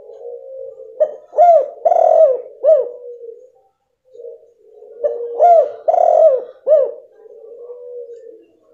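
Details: Female spotted dove voice meant to provoke a male that stopped calling; two identical phrases of soft, arched coos, each phrase four notes with a long burry middle note, separated by a pause of about a second.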